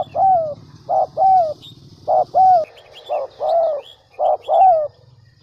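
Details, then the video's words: Decoy spotted dove from the Central Highlands of Vietnam repeats its soft two-part coo about four times: a brief note, then a drawn-out descending croon. Thin chirps of small birds sound in the background, and a low rumble fades partway through. "Chim Cu gáy mồi đỉnh tây nguyên"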